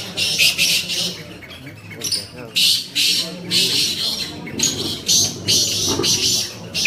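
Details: Black francolin, known locally as kala tetar, kept in the UK: grating, scratchy notes in quick bursts spaced by brief gaps, with a man's low speech audible in the background.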